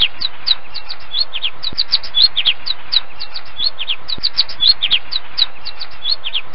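Finches chatter steadily with short, high chirps, several birds calling over one another many times a second, over a low background rumble.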